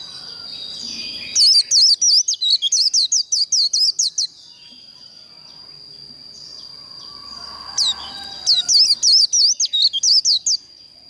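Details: White-eye in fierce líu contest singing, used to spur other birds to sing: two bursts of fast, piercing, up-and-down whistled notes separated by a short pause, with a steady high whine throughout.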